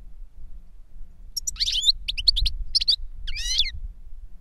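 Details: Goldfinch, an older bird singing to teach a younger bird: after a quiet start, twittering phrases of high chips and warbled notes with a rasping trill near the end, separated by short gaps.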